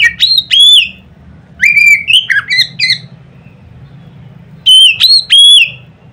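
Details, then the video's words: White-rumped shama giving a loud song meant to provoke other shamas: bright, clear whistled phrases in three bursts, each with slurred rising and falling notes, separated by pauses with a low steady hum beneath. "nada keras bikin burung Kacer lain ngeplong"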